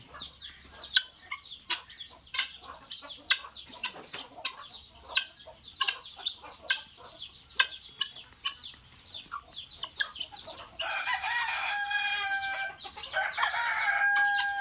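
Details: Guineafowl at feeding time in Assam give harsh, grating chatter after a run of sharp, irregular clicking and tapping sounds.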